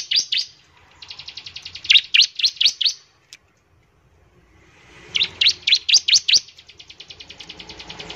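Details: Bar-winged prinia, singing to get other prinias going: a fast, even rattling trill of high notes mixed with louder sharp chirps, a pause, then another chirping burst trailing into a fine rapid trill.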